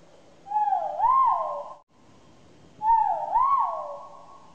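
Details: Great argus giving two loud, drawn-out whistled notes about two seconds apart, each dipping then rising and falling again, over faint background hiss; the call is said to carry for tens of kilometres.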